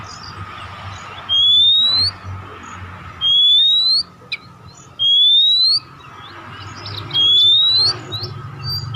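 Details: Oriental magpie-robin song used as a lure to prompt other magpie-robins to sing: four clear whistles, each sliding upward, repeated about every two seconds with quiet gaps and a faint steady hum beneath.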